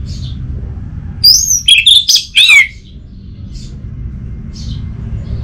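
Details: A brief phrase from an orange-headed thrush, played to get a silent bird singing, Bali. It gives a quick run of bright, sliding whistles and buzzy notes lasting about a second and a half, then near-silence with a low hum.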